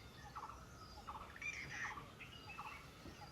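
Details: Rufous treepie (Dendrocitta vagabunda) near a village in India giving short, throaty clucking notes in quick bursts, with a couple of clear, metallic whistles between them, over a low hiss of background noise.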